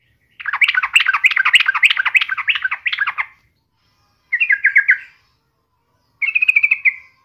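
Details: Sooty-headed bulbul singing vigorously, used as a daily lure to set other bulbuls singing: a long scratchy, chattering warble, then two shorter bursts of rapid buzzy chirps after pauses.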